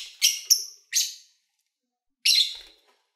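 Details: Lovebirds kept as pets, chirping as they eat and play: a quick pair of shrill chirps, a third soon after, then a longer raspy chirp following a short silence.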